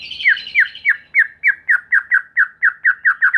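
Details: White-rumped shama lure song to make other shamas sing: a steady series of harsh, downslurred notes, roughly four per second, keeping an even pitch throughout.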